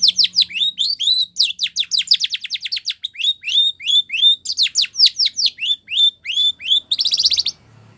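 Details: Spanish Timbrado canary training song, a long run of alternating falling notes and rising whistles, with a fast section of clipped notes, ending in a short buzzy trill.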